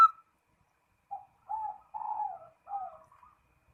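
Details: Soft perkutut, or zebra dove, calling a rival: a few low, breathy coos of varying length with pauses between them, no other sounds.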